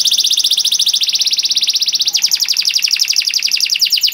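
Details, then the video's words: Canary master song meant to teach young canaries: a long fast buzzy trill of rapid repeated notes that changes to a slightly slower, lower-pitched trill midway. "KENARI GACOR PANJANG CENGKOK ISTIMEWA COCOK BUAT MASTERAN KENARI PAUD || VOICE OF CANARY"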